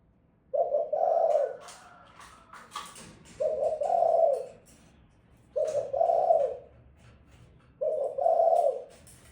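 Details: Repeated mellow cooing from a female spotted dove: four low two-note phrases at fairly even intervals of about two seconds, with soft clicks and rustling in the background.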